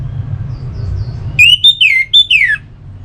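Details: Song of an orange-headed thrush, played to encourage singing: a short phrase of five bright whistles, some rising, others sliding steeply downward, loud against a quiet low hum.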